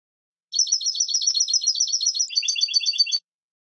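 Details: European goldfinch delivering a rapid, steady twittering trill of high tinkling notes, about three per second overlapping, changing to a lower rolling phrase midway; clean background.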